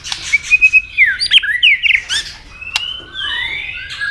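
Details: White-rumped shama fighting song to provoke a rival: bright whistled notes and sweeping slurs, a few loud accented phrases, then a softer long descending whistle.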